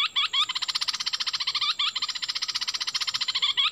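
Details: A wild bulbul recorded 16 March 2021 giving a bright, rapid chatter of about a dozen notes per second, opening and closing with slurred whistled phrases, over a faint high hiss.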